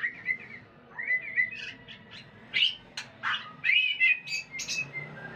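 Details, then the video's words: Mating white-rumped shama giving soft warbled whistles that build into sharp, high chirps and rapid rising-and-falling whistled notes, over low background hum. "MURAI BATU KAWIN"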